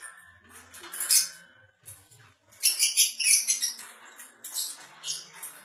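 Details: Red-headed lovebird in rapid, shrill, squeaky chatter, with quick high chirps tumbling together in dense runs. A brief pause breaks it up before a long excited burst.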